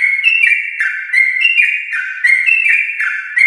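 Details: Yellow-vented bulbul, a champion-line bird in long, non-stop 'gacor ropel' song, used to prompt home-kept bulbuls to sing; rapid chain of bright whistled notes stepping up and down, with a fresh phrase about every half second.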